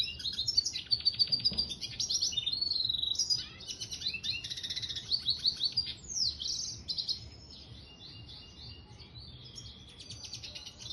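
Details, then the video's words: Red siskin hybrid finch giving a lively high-pitched song of rapid stuttering trills, buzzy rattles and whistled twitters, strongest early then easing into softer scattered notes, with low hum underneath. "Mule Siskin gacor dor"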